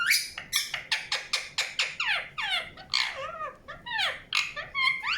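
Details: Indian ringneck parakeet chattering: a steady string of short harsh chirps about three per second, turning into downward-sweeping whistled calls toward the end.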